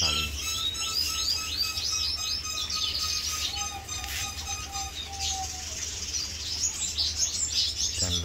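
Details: A male Red Siskin, one of a captive breeding pair building a nest in a feeding container, sings actively in a rapid, twittering run of high chirps and buzzy trills, with a steady low whistle-like tone underneath and faint voices.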